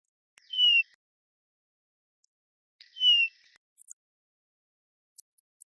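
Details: The soft, subtle call of a bullfinch in large woodlands in Wales in July, after the breeding season: two plaintive piping whistles, each sliding slightly downward, about two and a half seconds apart in near silence.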